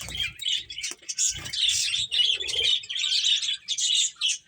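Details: Finches playing together chatter in continuous high, twittering chirps, overlapping notes with a faint soft flutter or rustle early on.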